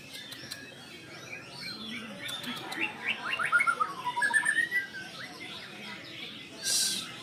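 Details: White-rumped shama, stirred up at the sight of a rival, sings after a quiet start: a cluster of fast clipped notes and downward-slurred whistles, then a short rising trill, ending with a harsh hiss.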